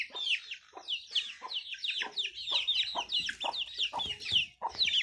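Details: Talking Indian ringneck parakeet chattering in fast, scratchy chirps, roughly three to four per second, with short pauses and faint lower notes underneath.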